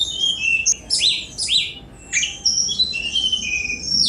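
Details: Sunda robin giving loud swooping whistles that dip and rise, followed by thin high notes and falling slurs, all in rapid sequence.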